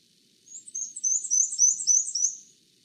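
Black-and-white Warbler song: a fast, very high, squeaky series of two-note phrases alternating high and low, like a turning squeaky wheel.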